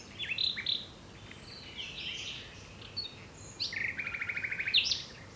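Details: Common nightingale singing loud varied phrases: sharp whistled notes, buzzy sweeps, then a fast even rattle of repeated notes, with a soft low background hum.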